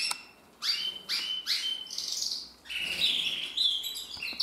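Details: Male red mosaic isabel canary from 2024, still coming into colour, sings repeated rising sweeping whistles, three in quick succession, then a buzzy trill and higher chirped notes, fairly loud over faint room noise.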